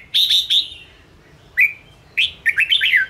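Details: Provoking song of a red-whiskered bulbul used to train caged birds: three strong clear whistles, a lone downslurred note, then a quick tumbling run of five or six bright phrases.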